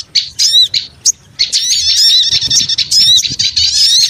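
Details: Small birds calling for a lure: a few separate sharp chirps at first, then from about one and a half seconds a continuous noisy chatter of high, squeaky, slurred notes.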